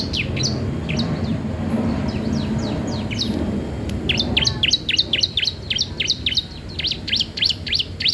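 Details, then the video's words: Bar-winged prinia song for training or luring other birds: fainter sweeping chirps at first under steady background noise, then a dense, rapid run of sharp high notes growing clearer. "CISEM PAUD GACOR DOORRR, COCOK UNTUK MASTERAN/PANCINGAN CIBLEK"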